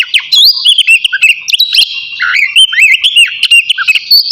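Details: Oriental magpie-robin of the kacer navy type singing energetically before bathing, with a dense stream of whistled slurs, sharp chips and warbling twitters with almost no pauses.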